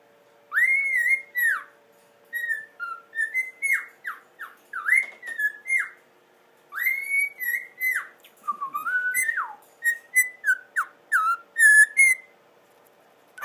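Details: A cockatiel whistles a bright, broken tune of arched, rising and falling notes over a faint steady hum.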